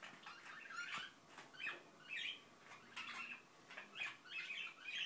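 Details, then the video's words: Indian ringneck parakeet, a pet, mumbling to itself in a room: low-volume rolling chatter in repeated short bursts about every second. "İndian Ringneck Börek mumbling"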